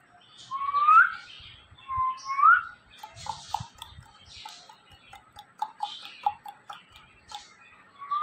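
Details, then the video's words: Two talking parrots kept as pets, conversing: clear upward-sliding whistles, two in quick succession, then a series of soft clicks and short chattering notes, with another rising whistle at the end. "Two talking parrots have conservation"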